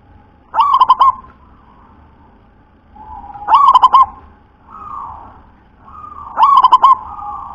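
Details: Three deep, bubbling coo phrases from a local zebra dove described as having a very thick, deep voice, spaced nearly three seconds apart, each made of several fast pulsed notes, with softer humming tones in the gaps.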